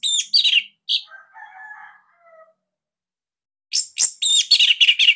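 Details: Orange-headed thrush (Bali form) song, played as a master recording to train captive birds and described as unique, fairly dense and loud: bursts of high, rapid chirping notes, a softer lower warbled phrase, a short pause, then a loud fast run of sharp notes.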